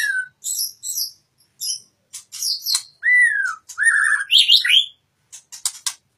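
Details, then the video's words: White-rumped shama (murai batu) in full song: a rich mix of clear slurred whistles falling near mid pitch, sharp high chirps and buzzy high notes, delivered in quick varied phrases with brief pauses. "murai batu matep tenen"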